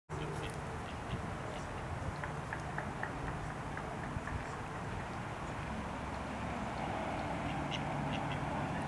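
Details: Female mallard guarding her ducklings while a Canada goose approaches, the young running back to her for safety; short quacks and thin high duckling peeps repeat in quick bursts over a steady low outdoor rumble.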